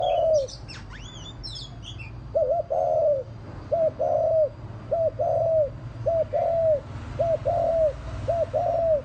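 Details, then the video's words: Spotted dove lure call used to provoke wild doves, with a few high chirps from another bird at the start, then low hollow coos in short-long pairs repeating roughly every second and a half over a faint low hum. "Tiếng chim cu gáy mồi mp3 kích bổi"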